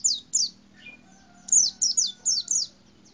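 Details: High, sharp downslurred chirps from a white-eye in a cassava tree: two notes, a short gap with a faint lower whistle, then a rapid series of five, over a low steady hum.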